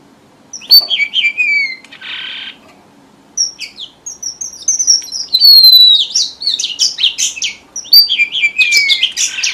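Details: Red avadavat lure song used by bird keepers for trapping: high, thin whistled notes sliding downward, in bursts of sharp twittering phrases separated by short pauses, with a brief hiss of noise between.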